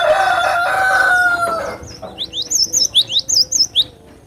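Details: Cinereous tit (glatik batu) giving a quick run of high, wavy whistled notes in the second half, following a loud, lower drawn-out harmonic call from another bird that fills the first one and a half seconds.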